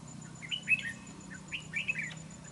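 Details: Red-whiskered bulbul used as a fighting decoy in trapping: two short lively phrases of slurred, bouncing whistles a second apart, with a low hum underneath.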